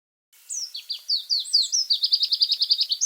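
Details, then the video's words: White-rumped shama (murai batu) song: a high series of fast downslurred whistles that speeds into an even rapid trill, about a dozen notes in the final second. "Tembakan kicau Murai batu pastol"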